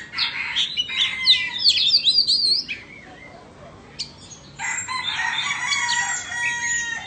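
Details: Oriental magpie-robins from Vietnam and Indonesia face off in song. An intense warbling burst lasts nearly three seconds, followed by a quiet gap, then a second long outpouring of whistles and chatter.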